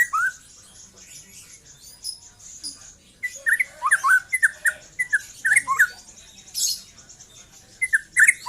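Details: Young white-rumped shama just past its spotted juvenile stage. Soft scattered notes are followed by a lively run of sharp slurred whistles and harsh chips, then another short burst near the end.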